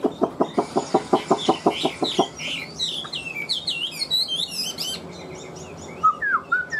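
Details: Caged Chinese hwamei singing: a fast run of about a dozen loud, evenly spaced clucking pulses over two seconds, then a string of high slurred whistles and twisting warbled notes, ending in a few lower downslurred whistles.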